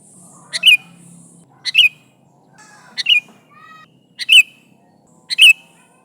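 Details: Sooty-headed bulbul calling to its companions with short, bright chirps given in quick pairs, roughly one burst per second, with faint low hum beneath.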